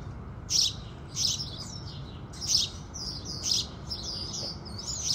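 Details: House sparrow song with the rising sun: four loud, harsh chirps spaced roughly a second apart, each followed by softer trailing twitters.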